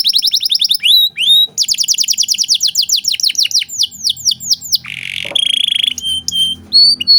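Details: Energetic canary 'cengkok mewah' song, recorded as a master tutor: dense rapid trill of repeated downslurred notes, a burst of harsh rasping, then clear high whistled notes and short buzzy rolls.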